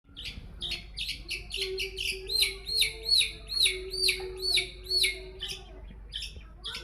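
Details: Long-tailed shrike song used as a lure to get other birds singing: a fast series of sharp chirps that shift into loud, rising, slurred notes repeated about twice a second, over a steady low hum.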